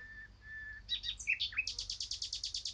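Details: Eurasian blackcap delivering a varied burst of high twittering and slurred notes that turns into a fast, even run of about twelve sharp repeated notes; a steady low tone is heard beforehand.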